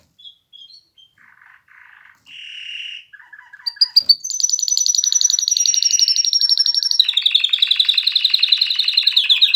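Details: Canary song opening with short soft chirps and a brief buzzy note, then breaking into a loud, continuous high trill that later drops into a lower, rapid pulsing roll.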